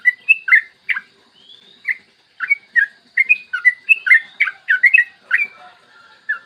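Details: Yellow-vented bulbul singing its long ropel phrase in a morning master track for prompting other bulbuls: uneven bubbly whistled notes with a smooth rising glide early on, building into a rapid cluster before tapering off.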